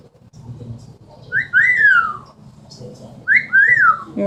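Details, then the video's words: Pet Amazon parrot in a small room giving two wolf whistles, each a quick rising note followed by a long descending slide, about two seconds apart, over faint background hum. "The many sounds of an amazon parrot."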